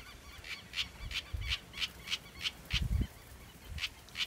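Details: House wren chick, recorded live around a yard: raspy, hissing short notes repeated roughly three times per second in a steady series, with low rumbling handling noise and a brief murmur of a voice underneath.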